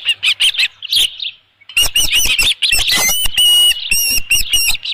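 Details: Midday at the Dunrovin Ranch nest, 27 June 2018, where an osprey holds a headless fish: a few sharp chirps, a short silence, then a dense string of loud, shrill, whistled yelps.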